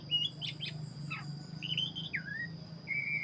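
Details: Oriental magpie-robin of the black-breasted form singing actively, with rich whistled phrases, clear sustained notes and a falling slur, then a level whistle, above a faint low rumble and a continuous high-pitched tone.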